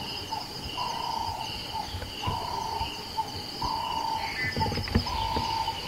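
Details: A nightjar in Kruger National Park, South Africa, in the early morning, gives low, even whistled notes, each about half a second, repeated every second or so over a steady high insect-like hum and a few knocks.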